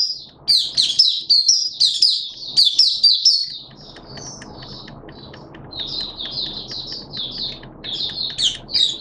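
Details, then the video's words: Malaysian Oriental white-eye kept as a hobby songbird, performing its 'buka' opening song on 21 June 2023: a fast, dense burst of high chirps, then softer, spaced twittering notes over a low background hum. "Malaysian Mata Puteh Buka Sing"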